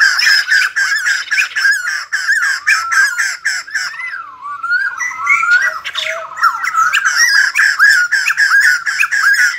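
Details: White-crested laughingthrush, kept bird, singing and dancing: rapid harsh chatter about four notes per second, a middle stretch of wavering whistled slurs, then the quick chattering returns.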